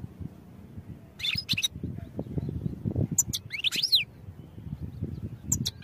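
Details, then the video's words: European goldfinch song used for training, heard as two short bursts of high, twittering chirps and slurred notes separated by pauses, over a steady low rumbling background. "Goldfinch Songs for Training"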